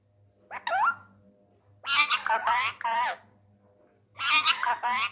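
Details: An angry male Indian ringneck parrot, said to talk in Urdu/Hindi, talks in three shrill, speech-like bursts, with quick rising and falling phrases, in a quiet room.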